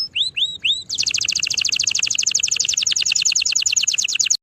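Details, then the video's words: Three upswept whistled notes from a canary lead straight into a long, rapid buzzy trill of high pulses that keeps an even pace until it cuts off. "Singing canary"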